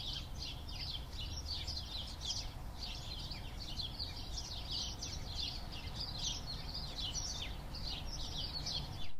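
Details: Birds chirping in a neighborhood: dense, quick high twittering chirps overlapping almost without pause, several callers at once, over a steady low rumble of outdoor background noise.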